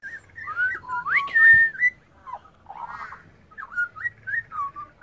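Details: Wild Australian pied butcherbird, a singer that can mimic other birds and sings while resting, gives short whistled phrases that rise and fall, broken by pauses and soft scratchy notes, with a faint low hum behind.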